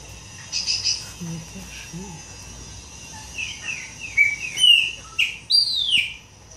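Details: Chopi blackbird singing a sequence of whistled, slurred notes that grow louder toward the end, with faint background chatter and rural ambience early on.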